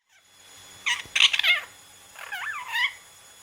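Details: Young pet Indian ringneck parrot, ten weeks old, disturbed while trying to sleep, giving two bursts of scratchy, wavering squawks that bend up and down in pitch, over a faint steady high electronic whine.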